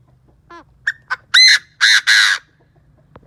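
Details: Chinese francolin used as a decoy, calling to stir up and attract wild birds; quick sequence of short clipped notes building into three long, rasping, powerful bursts, the whole phrase lasting under two seconds against quiet surroundings.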